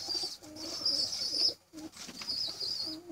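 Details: Pigeon chicks crying for food: a thin, high, continuous squealing whine, broken by a short pause midway, with faint lower rustling beneath, in a quiet setting.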